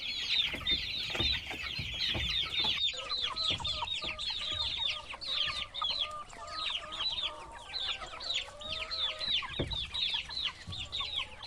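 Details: Dense chorus of baby chicks peeping, high downward-sliding notes packed together without pause, joined midway by a lower, softer, trilling chatter, over faint rustling.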